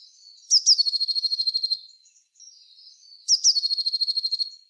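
Eurasian blue tit sings two high, thin notes that lead into a fast, silvery trill about a second long, then repeats the phrase about three seconds later.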